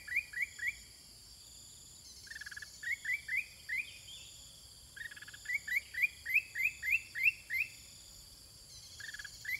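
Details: Sooty-headed bulbul countersinging with wild birds: bursts of quick, repeated, downward-slurred chirps in groups, separated by short pauses, against a continuous shrill insect background.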